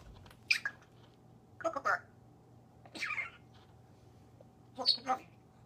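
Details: Talking African grey parrot, a pet bird, gives four short speech-like utterances, each a brief hoarse burst with squawky overtones, separated by pauses of about a second, in a quiet indoor setting with a faint background hum.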